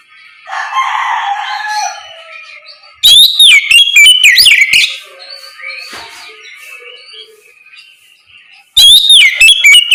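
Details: Kacer, or Oriental magpie-robin, in loud ngeplong morning song meant to coax others into answering. A soft murmuring sound comes first, then two bright bursts of swooping, warbled whistles with a short scratchy phrase between them.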